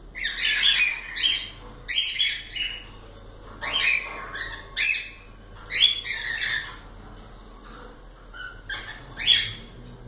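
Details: Cockatiels squawking in rough, buzzy bursts roughly every two seconds, some with a whistled edge, over a faint low hum.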